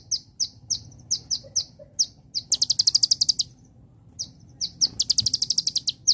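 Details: Olive-backed Sunbird (kolibri ninja) in a celilin-style song: high thin chirps repeated at a steady pace, breaking twice into fast, bright, buzzy trills lasting about a second each, with a faint low background hum.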